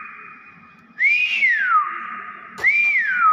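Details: Common hill myna producing two loud slurred whistles, each climbing then gliding smoothly downward, laid over a sustained even tone, with a sharp click between them.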